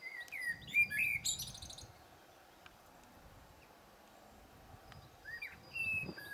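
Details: Blackbird phrase of loud, mellow descending whistles ending in a shrill squeaky twitter, followed by quiet and a second softer fluted phrase.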